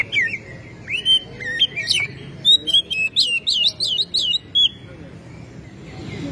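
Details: Oriental magpie-robin, tail spread, singing a string of clear whistled notes and short sweeping phrases, with a steady low background hum.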